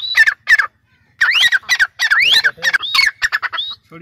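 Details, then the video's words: A young Sindh dakni francolin (teetar), hand-raised and sitting in a cage, calls in rapid harsh, scratchy bursts mixed with rising whistled slurs, about a dozen notes in four seconds. "Pinjry par betha huay teetar ki awaz"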